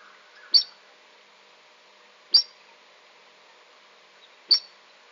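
Buff-banded Rail giving three sharp, high, squeaky single notes about two seconds apart, over a faint steady hum.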